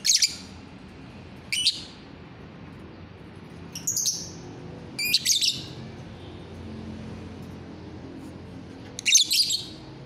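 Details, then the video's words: Lovebird singing as a lure to draw song from other lovebirds, recorded 1 November 2022; short bursts of sharp, high chirps and squeaks at irregular intervals, about every one to four seconds, with a low steady hum beneath. "lovebird ngetik,pancingan joss"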